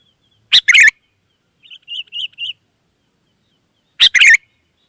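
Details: Wild sooty-headed bulbuls, said to answer readily. Two loud, sharp double chirps, one at the start and one near the end, with a softer run of four quick whistled notes between them, like a distant reply. Otherwise quiet.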